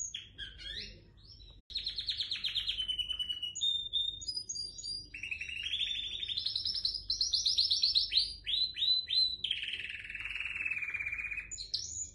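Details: Home-bred white dominant Syrian canary singing in the bandouq long style: a continuous stream of fast rolling trills and buzzy tours, stepping between high and mid pitches, each held a second or two, after a brief opening chirp and short pause.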